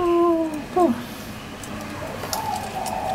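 A spotted dove gives a low, mellow coo with a short falling note after it. A faint higher tone follows in a quiet indoor setting.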